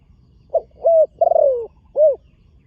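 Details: Young spotted dove in training, on a dirt competition ground for the first time: a short coo phrase with a soft opening note, a rolling, slightly falling drawn-out coo and a final rounded coo.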